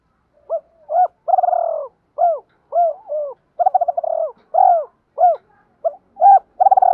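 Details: Decoy spotted dove calling to lure and provoke rival males: a rapid series of short arched cooing notes with several longer, pulsed, rolling coos, the notes spaced by brief pauses, on an otherwise silent background.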